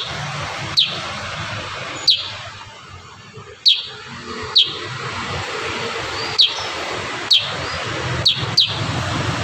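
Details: Single sharp, high kurincang chirps in the rapid 'tembakan rapat' song style, repeated at irregular one- to two-second gaps, with a rushing background noise.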